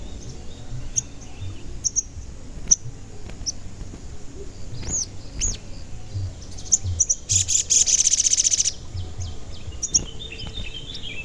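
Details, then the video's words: Crimson sunbird in energetic 'gacor' form, a calling bird used as a lure to provoke other sunbirds into singing and catching wild ones; a rapid, very high, dry trill of tight chirps, with scattered high bird notes and low rumble around it. "Pancingan Sogon Agar Bunyi dan Emosi, Sogon Bahan Auto Nyaut"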